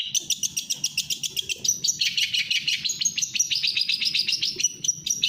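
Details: Cendet, the long-tailed shrike, delivering speed rapet song: tightly packed high chips and twitters repeated about one and a half times per second in an unbroken, energetic run.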